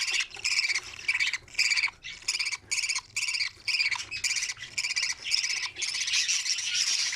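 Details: Young budgerigars in an opened nest, chicks feeding each other, give rhythmic bursts of grating, buzzy squawks about twice a second, separated by short gaps, merging into continuous chatter near the end.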